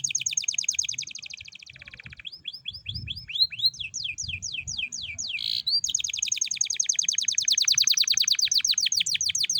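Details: Canary singing as a lure to get other canaries singing: long rapid high trills, a stretch of slower looping whistles, then a sustained fast rolling trill, with faint low rumble.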